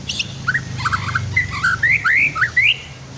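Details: White-rumped shama song used as a master recording for training other birds, set with river sounds for relaxation: varied rising whistled phrases around mid-high pitch, several slurred notes in quick succession, with a low steady hum of flowing water beneath.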